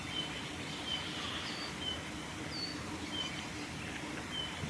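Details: Eurasian bullfinch male in song, Saitama Prefectural Forest, Japan, 8 December 2019: thin, steady piping whistles repeated about once a second, with a few higher slurred notes, over constant rural background noise.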